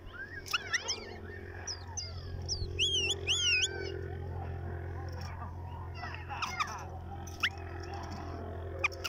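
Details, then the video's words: A white-eared bulbul sings short bursts of bright, bubbly whistled phrases that rise and fall quickly, separated by pauses, over a steady low hum. "أجمل تغريد بلبل عراقي"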